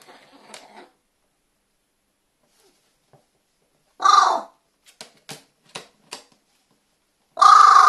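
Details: Captive carrion crow kept indoors under expert advice, recorded 12 January 2020, showing several kinds of calls: two loud harsh caws separated by a few short clicking sounds, with faint rustling at the start.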